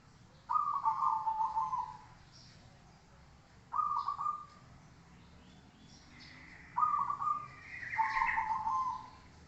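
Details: Zebra dove song for training birds. Four trilled, warbling coo phrases come in uneven spacing. A higher chirping note overlaps the last two.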